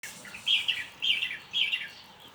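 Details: Bird giving three bright, high chirpy phrases about half a second apart, each a quick burst of twittering notes, over a soft steady background hiss.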